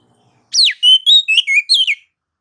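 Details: White-rumped shama song used to provoke other shamas into singing: a sharp descending whistle followed by five clear, varied whistled notes with harmonic overtones, in a short burst of about one and a half seconds.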